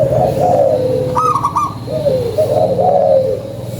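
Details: Local zebra dove giving a lure song: soft wavering coos, then a quick trio of higher notes, then more rolling cooing, with a low hum underneath.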